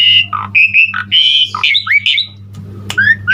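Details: Asian pied starling (Jalak Suren) singing gacor, full isian: loud buzzy held notes broken by lower gruff squawks, then wavering whistles and a sharp click, low hum in the background.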